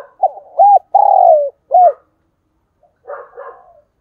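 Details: Decoy spotted dove giving its calling coo and thúc bổi cooing: a few short arched coos, then one long, level, slightly falling coo, another arched note, a pause, and a softer burst of rough pulsed notes.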